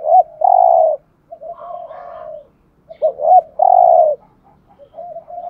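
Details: Decoy spotted dove kept to attract wild doves, giving gù thúc urging coos. Two phrases three seconds apart, each a quick hooked double note then a drawn-out level coo, with quieter trailing coos and soft murmurs in the gaps.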